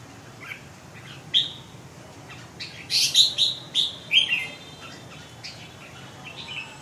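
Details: Red-whiskered bulbul giving an isolated chirp, then a lively burst of five or six loud, clipped whistled notes in quick succession, followed by fainter scattered chirps against low background noise.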